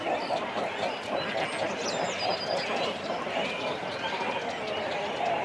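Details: Cormorants calling from nests in a colony, chicks and adults together, heard close: rapid, evenly pulsed guttural notes, about four a second, over continuous colony noise with a few thin higher calls.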